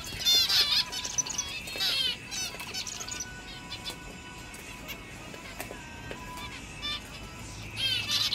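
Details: Seven zebra finch chicks, seven weeks after hatching, sunbathing outdoors in a big cage for the first time, give short bursts of nasal, buzzy chatter in three clusters a few seconds apart, with faint steady tones, possibly music, behind.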